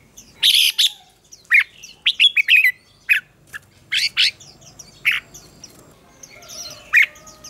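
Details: Red-whiskered bulbul singing a contest song to stir other birds: a lively string of loud whistled notes and chirps, many short phrases spaced unevenly, with softer distant chirping in the background.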